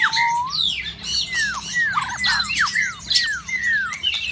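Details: Caged White-rumped shama in the breeding season pours out a rich song of loud whistled notes, each swooping down sharply, delivered rapidly over four seconds with a few squawky interjections.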